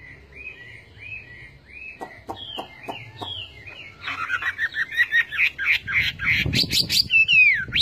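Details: Chinese hwamei singing: a run of repeated arched whistles, then a stretch of sharp clicks, building into a loud, fast, varied medley of whistled notes ending in a descending slur.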